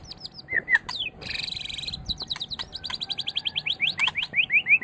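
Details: White-rumped shama singing in a training recording for other songbirds: high clicking notes, a buzzy stretch, then a fast run of sharp rising chirps about every quarter second, ending in repeated upslurred whistles.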